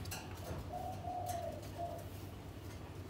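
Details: Spotted dove, one of a captive breeding pair that has begun preening each other and building a nest; a single soft, mellow cooing phrase: a long level coo followed by a brief second note, over faint low room noise and a few clicks.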